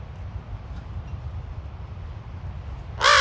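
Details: Raven at Ocean Beach in San Francisco giving one hoarse, grating caw near the end after a stretch of low background rumble from surf or wind.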